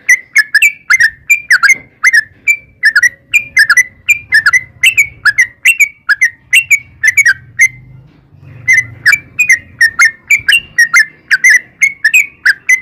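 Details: Long ropel song of a sooty-headed bulbul: lively chains of short, liquid whistled notes that dip and rise, a steady stream of phrases broken by one brief silence around eight seconds, with soft background hum.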